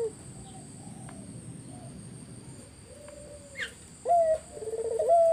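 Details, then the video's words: Spotted dove song used as a lure to make other doves answer: soft low coos early on, then a louder burst of rapid, throaty repeated cooing notes near the end, over faint background hiss. "Burung puter mana yang ga ikut nyaut kalo dengar GACORAN puter ini"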